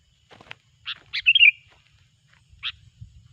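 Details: Sooty-headed bulbul song used as a lure for trapping bulbuls: a few short, sharp chirps, then a quick bubbly warbled phrase, and after a pause one more bright chirp. Faint low rumble beneath.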